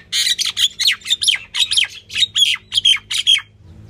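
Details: Calling female Indian myna, the common myna, giving a steady stream of about a dozen loud, rasping, squawky notes in rapid succession.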